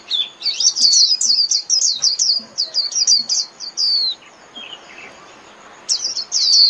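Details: Japanese white-eye song used to call the flock: a fast, high twittering phrase of repeated downslurred whistles lasting about three seconds, a short high note, a pause, then another twittering burst at the end.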